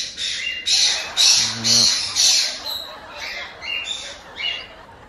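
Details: One-month-old cockatiel chicks, bred in Hokkaido's Tokachi area, call for food with repeated hoarse 'jaa-jaa' squawks, about two a second, over quiet background talk.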